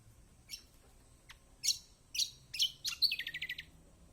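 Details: Bright chirps from a kecial kombok, played to draw song from quiet birds, come at quickening intervals and finish in a rapid, even trill of about eight clipped high notes.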